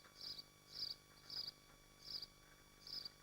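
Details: Nesting swifts in Machynlleth, within the Dyfi Biosphere, picked up by a live nest camera: five rasping, high-pitched scream bursts roughly every two-thirds of a second, each short and grating, with low steady hum underneath.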